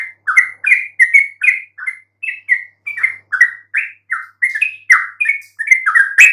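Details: Yellow-vented bulbul singing, a recording meant to make quiet bulbuls respond: a chattering series of clear, bubbling notes, some slurred upward, others dropping, delivered without pause.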